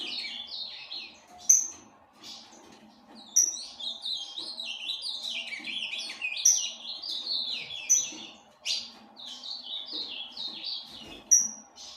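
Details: Captive ultramarine grosbeak from a breeder, a tournament-type azulão, singing repeated warbled phrases of rapid, sweeping, slurred notes that step up and down, each phrase a few seconds long and separated by short pauses, with a sharp high note between them.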